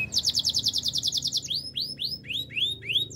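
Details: Gloster canary song for coaching canaries: a quick pulsing high trill of about a dozen notes, followed by slower, looping upswept whistles repeated roughly every third of a second.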